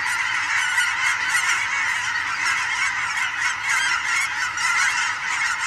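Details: Fall evening flyover in Oregon of huge migrating goose flocks among sandhill cranes, heard as a thick, ceaseless clamor of honks from many birds at once, rising and falling only slightly.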